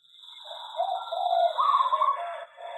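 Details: Zebra dove kept in an aviary sings one rising phrase of rapid, rippling trilled coos that builds in loudness, set against a persistent thin high whine.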